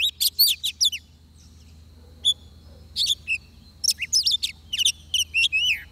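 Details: Oriental magpie-robin singing where it is being trapped with a decoy: quick whistled notes, a pause, then a string of slurred and descending whistles.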